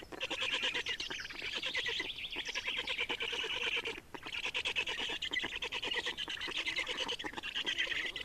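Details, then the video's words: Feeding black storks, Estonia, 30 May 2019, give a sustained, rasping, fast-pulsed noise with a rough, hissing quality, broken only by brief dips in loudness. "Estonian Black Storks - Feeding"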